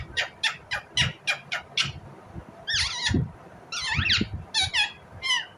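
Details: Indian ringneck parrot chirping: a quick train of about nine short sharp notes, then longer wavering, rasping screeches and choppy chatter, with low background thumps.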